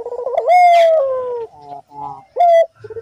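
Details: Constantly calling Barbary dove, recorded as a lure to set other doves calling: a wavering coo swells into a long, slowly falling tone, then a short, sharp note follows.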